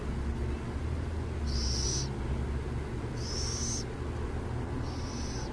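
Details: Burrowing owl near San Jose: three harsh, hissing screeches, each about half a second, high-pitched and evenly spaced over a steady low rumble.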